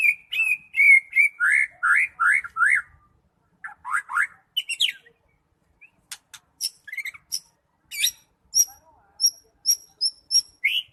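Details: A white-rumped shama of the Medan variety sings a rapid string of loud whistled notes, then a run of swooping phrases, followed by sparse high ticking notes and short whistles after a pause.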